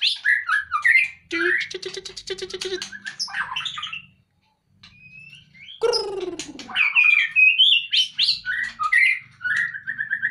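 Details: White-rumped shama outside its cage sings a varied song: short whistled notes, a rapid rattling burst, a pause, a sweeping downward call, then looping whistles and sharp chips.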